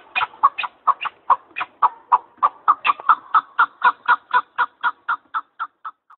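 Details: Partridge calling near Arguvan: a loud, steady run of about two dozen harsh clucking chuk notes, roughly four per second, each note short and throaty, over an otherwise quiet background.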